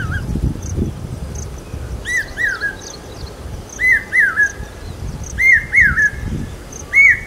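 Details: Common hawk-cuckoo calling loud in Aurangabad during the monsoon, a call said to signal rain: shrill rising-falling whistled notes near 2k in pairs and triplets, growing louder through the clip, over low rumbling noise and faint high chirps of other birds.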